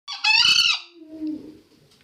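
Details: Green junglefowl crowing, a recording used as a lure for trapping: a short rising lead-in, then one harsh, rasping, high-pitched burst about half a second long that fades into a faint low trailing note.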